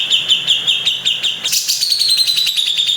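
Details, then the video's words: Rapid 'tembakan kasar' of a grey-cheeked bulbul, Bali: a fast even series of high ticking pulses, then a sudden harsh burst sliding into a slightly higher buzzing trill. "tembakan kasar cucak jenggot"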